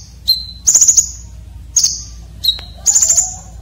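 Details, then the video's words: Sharp, rough filler song of a red-breasted konin, kept for training competition birds. Steady lower whistles lead into shrill, stuttering high trills, each phrase about half a second long. "KONIN Dada Merah isian Kasar tajam"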